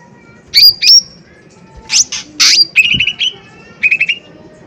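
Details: Loud lesser green leafbird lure song intended to provoke: high slurred whistles and rough bursts, then short fast trills of lower repeated notes.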